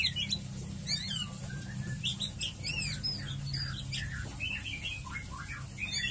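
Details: White-rumped shama (murai batu) ngeriwik song: quick swooping whistles and chattering notes in repeated bursts, partly masked by a steady low hum and background noise.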